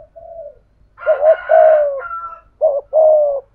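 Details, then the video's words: Spotted dove decoy bird, 'thổ' voice style: a soft opening coo, then double notes and a long coo overlaid by a brighter, higher call from another bird, closing with a clear short-long coo phrase. "Chim Cu Mồi/ cu gay giong tho cuc dinh"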